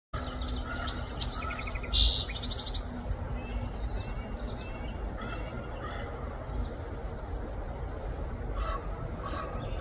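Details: A song sparrow at a backyard bird-bath fountain, drinking and bathing, sings bright, buzzy trills and chips over a steady low background rumble, and its song gets interrupted by crows.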